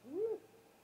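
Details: Brief upswept hoot followed by a faint fading tone, given as a great horned owl attacks a great gray owl at its nest just after midnight on 30 March 2018, heard through a live nest cam.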